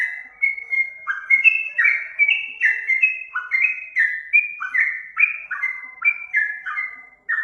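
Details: Yellow-vented bulbul singing a lure phrase: a long cascade of short, bubbly, downslurred whistles rolling along without pause, clear against a quiet background.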